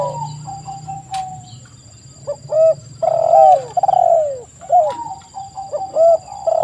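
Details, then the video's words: Spotted dove song, quieter at first, then a run of rising hooked notes and long falling coos, with more phrases after a short gap. A few clicks, a low hum and a steady high whine are also heard. "TEKUKUR GACOR suara merdu"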